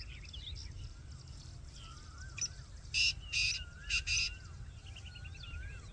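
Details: Black francolin calling: four loud, harsh, grating bursts in two close pairs midway through. Softer whistled notes from other birds and a steady low rumble run underneath.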